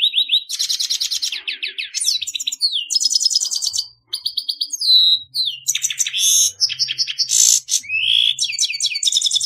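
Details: Song of a grey-headed goldfinch, Carduelis caniceps, a finch of the family Fringillidae: fast, varied twittering with buzzy trills, liquid slurred notes and sharp chips, nearly continuous with one brief pause.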